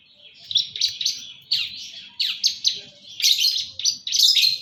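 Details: East Javan Long-tailed shrike in energetic full isian song, repeating short buzzy downslurred notes in quick clusters that grow louder and harsher toward the end, with a soft low hum behind.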